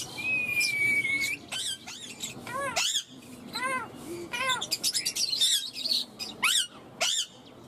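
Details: A pet rose-ringed parakeet talks, saying 'mummy' and 'mitthu' in harsh, rapid, clipped speech-like bursts mixed with sharp squawks and a thin whistled note, in a quiet room.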